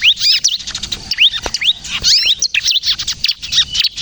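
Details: Bar-winged prinia of the crystal type singing steadily, played to lure wild birds and prompt young birds to sing: quick high upslurred whistles mixed with dense scratchy chatter.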